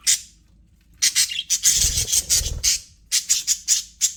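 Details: Pet budgerigars in an aviary chirping: bursts of harsh, high chirps and squawky chatter in quick runs, with a lower rustling noise in the middle and short gaps of quiet.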